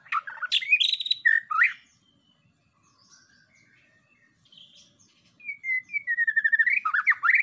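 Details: White-rumped shama lure song used to provoke other birds: loud, varied whistled phrases and sharp chirps, then a lull of soft, faint notes, then a rapid run of repeated sharp notes ending in slurred, falling whistles.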